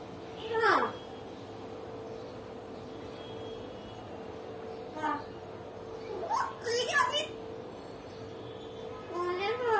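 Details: Pet common hill myna, kept at home, talking, laughing and at times crying; four short bursts of harsh, sweeping, voice-like syllables separated by quiet gaps, over a steady low electrical hum indoors.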